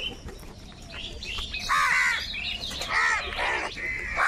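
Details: A dense group of crows quarrelling over food makes raspy, strained caws mixed with thinner high chatter from the flock.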